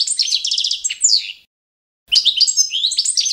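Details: Competition-standard song of the Balkan European goldfinch (Carduelis carduelis balcanica), used for training: a rapid, high, twittering phrase of repeated ticking notes and descending slurred whistles, a half-second pause, then a further tinkling run.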